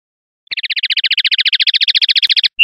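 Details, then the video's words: A common linnet sings a clean song: a fast, even trill of about two dozen bright, high notes over two seconds, then a brief sharp note, with no other sounds. "CD PARDILLO LIMPIO"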